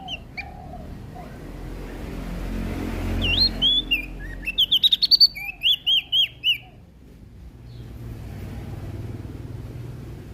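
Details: Lombok prinia in lively full song, delivering a rapid three-second string of high, clipped, rising chirps and brief trilled notes, with a steady low hum and faint background noise underneath.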